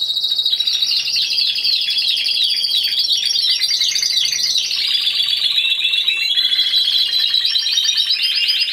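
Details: Continuous loud, rich song from one Timbrado Español canary at a November 2015 singing competition, judged as a single bird: rolling metallic trills and rapid bubbling phrases flowing without a break.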